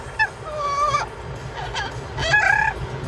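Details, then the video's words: Parrot making noise in a car, giving a drawn-out wavering whistle, then a pause and a brief burst of rough, buzzy notes, over a constant low rumble of the moving vehicle. "Parrot singing and making noise in car"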